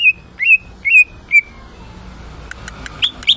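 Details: Caged greater green leafbird under lolohan care, singing gacor: four clear whistled notes held steady and dropping slightly, then a short burst of high ticks and two quick upslurred chirps.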